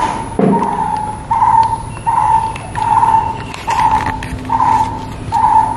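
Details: Brown-headed barbet calling: mellow, hollow, low-pitched phrases repeated about every three-quarters of a second, steady and monotonous, with faint rustling in the background.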